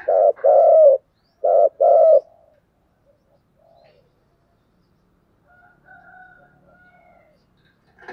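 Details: Spotted dove giving continuous cooing: two pairs of low, hoarse coos in quick succession, a short trailing note, then quiet with faint distant higher calls.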